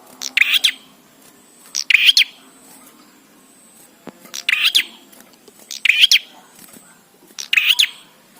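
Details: Song used to get bar-winged prinias singing fast: six sharp, chirpy bursts at uneven intervals of one to two seconds, each a quick cluster of rising notes.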